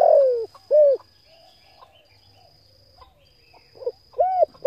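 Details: Spotted dove coos, used to rouse and train decoy birds. A falling first note and a rounded second coo are followed by a long quiet gap, then two more coos. A constant faint high-pitched tone sits underneath.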